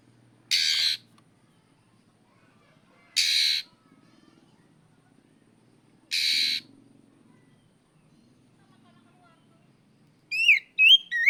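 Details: Oriental magpie-robin, kacer, calling out a rival: three harsh scratchy rasps roughly every three seconds in a quiet setting, then a quick burst of bright rising whistled notes at the end.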